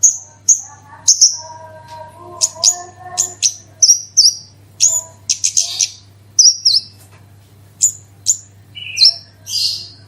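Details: Horsfield's bush lark singing the 'gacor super roll tembak' lure style: high, thin, sharply descending chirps given singly and in short clusters, with quiet gaps and a steady faint hum.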